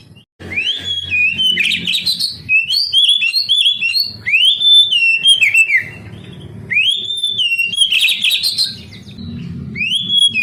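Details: Oriental magpie-robin song meant to stimulate young canaries to sing. Upswept whistles alternate with scratchy, buzzy bursts and short looping notes, repeated in phrases over about ten seconds, with a low hum in the background.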